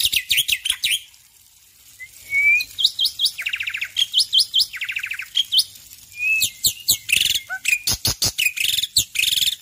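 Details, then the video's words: Varied morning song from a male black-winged myna: rapid chatter, a rising whistle, sharp upswept notes, two buzzy trills, then a long run of quick, clicking chirps. "Jalak Putih Jantan Gacor Pagi Hari"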